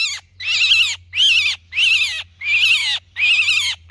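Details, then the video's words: Distressed myna crying out for its flock's help, repeating a harsh, grating, buzzy screech five times at a steady rate of about one and a half per second, each call rough and wide-ranging, with a faint low hum beneath. "Tiếng Sáo Kêu Cứu Bầy Đàn"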